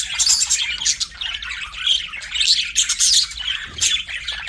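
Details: Pet budgies give a busy run of scratchy chirps and short squawks, high-pitched and uneven, with louder bursts about every second.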